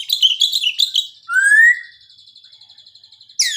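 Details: White-rumped shama song used as a lure: a few quick chirped notes, a clear rising whistle, then a long thin buzzing trill before a sharp burst at the end.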